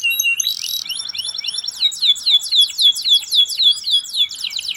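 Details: Singing canary in the ngerol tajam style with nembak phrasing, used as tutor material for other birds: a brief buzzy burst and a high ticking run, then a long series of rapid, looping, downward-sweeping whistles delivered at an even pace.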